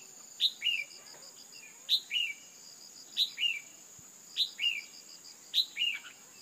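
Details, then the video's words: Female red-whiskered bulbul calling to stir males into excitement. She gives five evenly spaced paired notes, a bright downslurred chirp then a warbled lower note, roughly every 1.2 seconds, with a constant high-pitched hum behind. "tiếng chim chào mào mái kích trống căng lửa"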